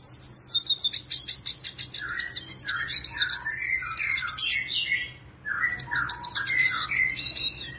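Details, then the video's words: A Black-headed siskin, a seed-eating bird, sings a fast, unbroken twittering song of high, buzzy trills mixed with lower warbled phrases, pausing once briefly. It is in strong, full song, suited as a tutor recording. "BlackHoded Siskin gacor"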